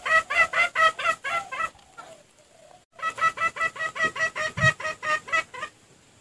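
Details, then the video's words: A red junglefowl gives rapid, throaty clucks, about five a second, in two bursts split by a short pause; the recording is used as a lure for wild junglefowl. "Pikat Ayam Hutan"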